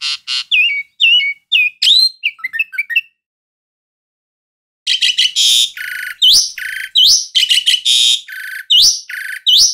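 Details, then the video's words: Loud, varied singing from a house-kept Asian pied starling: a rhythmic run of twisting whistled chirps, a silent gap, then rapid alternation of rasping buzzes and rising slurred whistles. "SUARA BURUNG JALAK SUREN | UREN"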